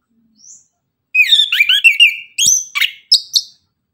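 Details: Orange-headed thrush in 'tembakan' morning song: a faint high note, then a fast jumble of twisting whistles, followed by short sharp chips and clipped high notes.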